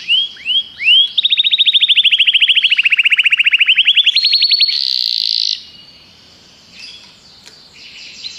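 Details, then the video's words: Three rising whistled notes lead into a long, even, rapid trill that climbs slightly, a brief buzzy burst, then near silence; canary song. "Canários cantam"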